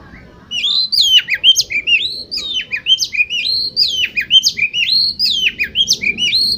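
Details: Oriental magpie-robin song as a lure to spur competition birds into singing: fast, continuous chain of loud whistled notes, each a steep rising or falling sweep, with clipped, varied phrases repeated without pause.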